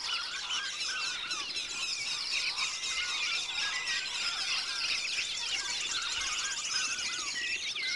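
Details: Wood duck (Aix sponsa), calls.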